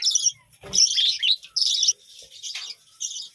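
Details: Bright, high budgerigar chirps from a village colony arrive in four or five short, buzzy bursts, with one brief low knock early on.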